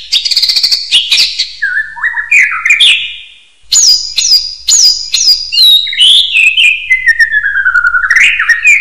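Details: Common hill myna sings energetically for training other birds: rapid high chattering whistles, a brief pause, then a series of loud falling whistled notes that slide into a long, gradually descending warble.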